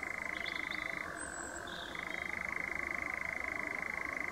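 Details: European nightjar churring at Ideford Common in a steady, dry mechanical trill that drops briefly to a lower pitch and then returns, with faint chirps from other birds in the background.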